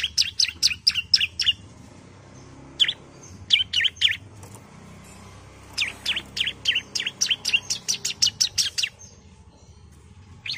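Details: Female bar-winged prinia calling for the male: bursts of rapid, high chipping notes, then a short scattered group, then a longer fast series of about a dozen chips before fading out.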